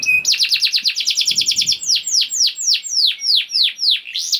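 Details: Canary song played to start other canaries singing: a fast run of curved chirps, slowing into loud, deliberate downward-sweeping notes repeated about three times a second.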